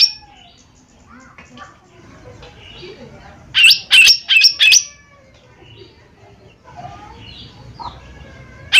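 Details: Lesser green leafbird (cucak ijo mini) in gacor lure song: mostly quiet, then a loud group of four harsh high notes in the middle, with soft scattered chirps before and after.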